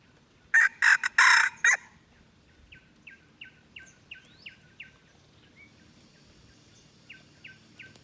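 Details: Aceh red junglefowl lure call used for luring wild birds: a loud harsh crow of several broad bursts near the start, followed by a soft series of short rising chirps repeated at a steady pace from another bird.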